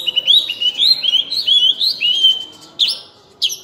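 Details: Oriental magpie-robin, locally called cincim pala, singing actively in a full 'isian' style: a quick run of bright, slurred whistled phrases that rise and fall, followed by two short, sharp upward notes after a brief pause.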